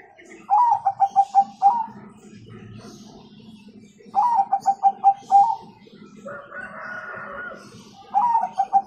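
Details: Bangkok zebra dove song with the kung tone, meant to make young doves sing sooner: three phrases of fast, pulsed coos, each closing with a drawn note, over a low background hum and a burst of other noise.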